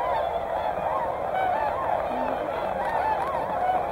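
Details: At Hyoko, Niigata, a flock of whooper and tundra swans calls loudly. Repeated arched, rising-and-falling trumpet notes sound over a steady backdrop of many honking birds.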